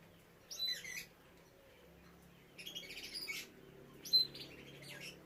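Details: Bred canaries with young. Three separate bursts of high, buzzy twittering, each under a second long, are set apart by quiet pauses. A low steady hum runs beneath them.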